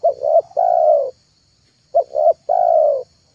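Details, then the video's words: Spotted dove call used to lure doves: low hooting coos, two short notes then a long drawn-out falling coo, heard twice with a gap, over a faint steady high hum. "MP3 TEKUKUR PIKAT TERHITZ DI AKHIR TAHUN 2022,,pikat tekukur"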